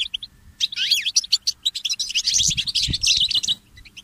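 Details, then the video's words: Goldfinch mule song in early morning: a quiet start, then a sweeping slurred note followed by a dense, buzzy twittering run of high chirps that trails off. "The inspiring Motif of the Mule Goldfinch"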